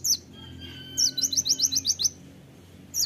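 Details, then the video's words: Purple-throated sunbird (kolibri ninja, konin) singing in full voice: a rapid burst of about nine sharp, very high chips in one second, with a thin high whistle and a high note at each end. "kolibri ninja (konin) gacor full tembakan suara tajam"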